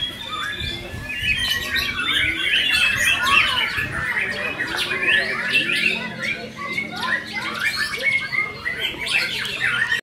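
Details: White-rumped shama performing at a songbird contest pours out rapid, varied whistles and harsh chattering phrases, mostly high-pitched, over a busy background of other birds and faint voices.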